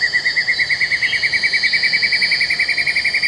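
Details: Black-and-yellow broadbill, Taman TAR, Congkak, West Malaysia, 2022: a clear continuous pulsing trill of quick undulating notes at steady pitch, with a thin high insect-like whine in the background.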